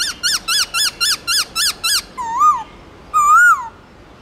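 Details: Loud, clear forest-style song of a white-browed laughingthrush: eight quick arched whistles repeated evenly about four times a second, then two longer, rich whistles that rise and fall.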